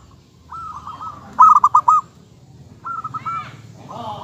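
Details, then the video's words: Local zebra dove song: three phrases of purring, pulsed coos, the middle one loudest with crisp separated notes, with a few sharp clicks in a quiet background. "suara kutut lokal"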